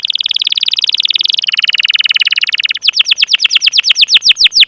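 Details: Rolling canary song played to prompt young, beginner or non-singing canaries into song: a dense buzzy trill that drops to a lower pitch midway, then a slower series of clear descending whistled notes.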